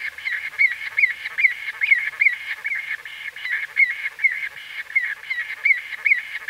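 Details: Nearby white-fronted bee-eater repeating brief nasal notes that flick upward, about two per second, with a busy wash of further calls from other birds underneath.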